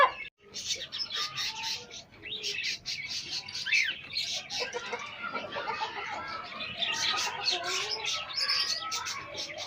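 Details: Pet chicks meeting pet hens: a dense chorus of high, rapid peeps from many chicks overlapping throughout, with a few lower soft hen notes underneath.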